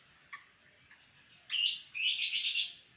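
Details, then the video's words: Seven-month-old green junglefowl crowing: two hoarse, broadband bursts in quick succession, a short one followed by a longer, rougher, wavering one, after a faint chirp or two early on. "Kokok ayam hutan hijau usia 7 bulan"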